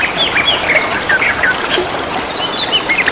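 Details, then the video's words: Greater green leafbirds duetting in the wild near running water, producing brisk whistled chirps and slurred notes, rising and dipping, against steady water noise. "Burung Cucak ijo sahut sahutan di alam dengan gemericik air"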